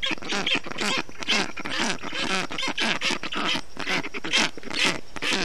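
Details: Several black stork chicks in a nest in Estonia, 20 June 2021, calling in the heat as the adult male wets the nest. Dense, overlapping rasping calls run almost continuously.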